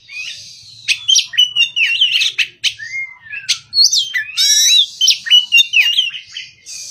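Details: Untrained Oriental magpie-robin singing in the morning: a continuous run of clear whistled notes, rising and falling slurs and chattering trills, loud and varied throughout.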